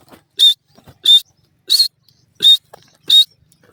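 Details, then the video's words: Francolin uttering five harsh, buzzy notes at a regular pace of about one every 0.65 seconds, with faint rustles between them. "teetar ki awaz"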